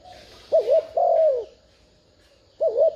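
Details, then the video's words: Spotted dove used as a lure, cooing in 'thúc gù' style: one soft bouncing double note leading into a longer smooth falling coo, then another wavering note beginning after a pause. "Tiếng chim cu gáy thúc gù kích mồi mở lên bổi gáy liền"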